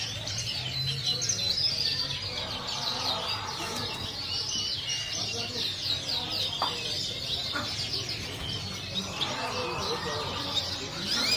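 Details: Yellow jumbo-size Parisian frill-back canaries, a breeding pair, singing in bright, high, rapid chirps and trills, a busy overlapping chatter, with faint background noise and perhaps a voice early on.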